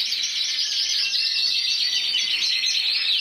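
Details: Champion intense yellow canary, Spain 2014, 94 points, delivering an unbroken stream of fast, high chattering trills, bright and slightly buzzy, steady in loudness throughout.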